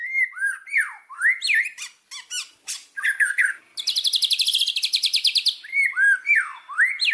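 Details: Indonesian white-rumped shama singing as a lure. Swooping whistles and scratchy notes give way to a long buzzy high rattle, then return to looping whistled phrases.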